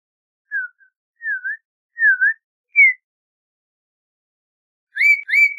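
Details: Hesitant whistled song of an Audubon's oriole: four separate notes, the middle two swooping down and up. After a pause come two fuller, brighter whistles in quick succession.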